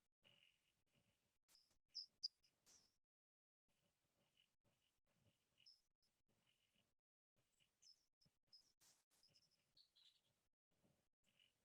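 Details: California Towhee giving loud, sharp metallic chips, a few short high notes clustered near the start and scattered later, over faint rustling; California Quail and California Thrasher are part of the same recording.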